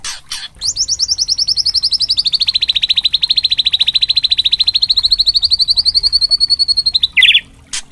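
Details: White-rumped shama, a spotted juvenile, in provocation song aimed at rousing other birds: a long, even, buzzy trill of rapidly repeated notes held for about six seconds, ending in a short harsh note.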